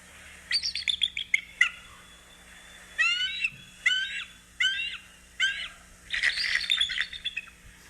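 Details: A five-year-old female captive Bald Eagle gives thin, high, gull-like, shorebird-like chattering calls: quick piping notes in short bursts, repeated about every second. Faint voices are heard at the start.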